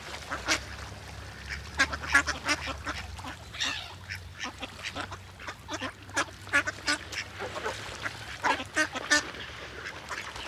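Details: A flock of ducks swimming together on the water, with great white pelicans nearby, quacks in a busy group chorus. Short, raspy calls come in uneven clusters, louder around the middle and end.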